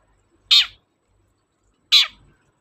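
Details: Long-tailed shrike calling vigorously for a lure used on shrikes slow to sing: two harsh, grating squawks about one and a half seconds apart, each brief with a falling tail, against near silence.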